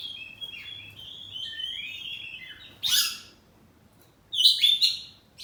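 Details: Oriental magpie-robin, poci form, kept at home, in full 'ngeplong' song: sliding clear whistles, a sharp loud note near three seconds, a short pause, then a strong burst of high whistled trills.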